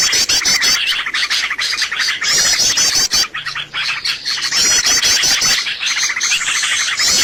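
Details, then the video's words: Lure recording for attracting birds to traps, crowded with overlapping high chirps, fast rattling trills and repeated twittering phrases, pausing briefly after about three seconds before the chatter resumes. "SUARA PIKAT BURUNG paling d cari!!"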